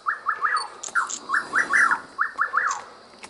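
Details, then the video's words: Rufous nightjar repeating a quick three-note whistled phrase, the notes sharp and sliding downward, about four phrases in three seconds, with faint high chirps in the background. "João-corta-pau (Antrostomus rufus)"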